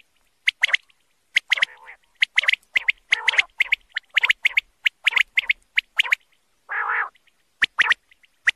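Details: Calling male common quail: a steady series of crisp clipped notes in quick clusters, repeated many times, interrupted by lower nasal, gurgling bursts; clean background otherwise.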